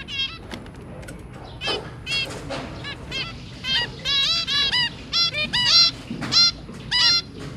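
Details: Zebra finches, an adult pair with their three babies, recorded on 23 January 2022: rapid nasal, trumpet-like beeps with stacked harmonics, given in quick clusters, some bursts doubled, over a faint steady hiss.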